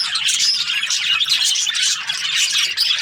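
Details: Budgies at morning time fill a short burst with thick, rapid chirping, thin whistled squeaks standing out over a constant scratchy warble.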